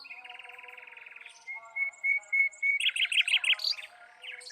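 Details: Mockingbird singing: a dry rattle of quickly repeated notes, then a string of clear, even whistles on one pitch, then louder buzzy chirps in a rapid series. Faint steady low tones sit underneath.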